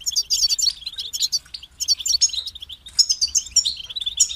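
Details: European goldfinch twittering in quick, bright phrases, high tinkling notes mixed with short buzzy trills and a few clear whistled tones.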